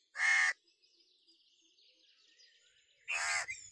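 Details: Crow calling with two harsh, rasping caws about two and a half seconds apart, each lasting under half a second, with faint twittering of other small birds in between.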